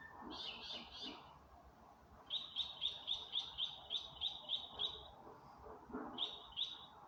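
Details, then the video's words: Night-time birdsong recorded May 27, 2025, in darkness: a brief burst of high chirps, then a long even series of bright, sharp notes at a steady quick pace, starting again near the end, over a low constant rumble. "in the dark of night the birds are singing"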